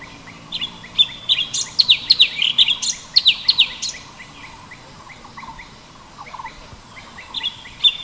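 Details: A sooty-headed bulbul (cucak cungkok) near a waterfall gives a quick burst of bright, chirpy notes for about three seconds, then scattered soft chips and a brief return, over a faint steady hiss.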